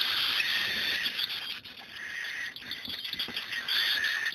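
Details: Diamond cockatiel (Nymphicus hollandicus) chicks begging for food at feeding time give a continuous raspy, hissing chatter.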